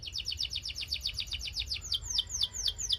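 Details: Belgian canary song made of fast, even repeated chirps, about four per second, shifting to sharper downward-sweeping notes toward the end, high-pitched and clear over faint background noise.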